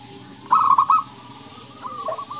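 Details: Local perkutut, the zebra dove, giving a 'nembak' song phrase: one loud, fast, trilled coo of rolling notes. Softer cooing notes follow at a steady pitch.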